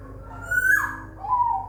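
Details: Zebra dove bred at a bird farm in Semarang, Indonesia: a clear whistled note that swells upward and then slides down, followed by a shorter, steadier lower whistle, over a faint low hum.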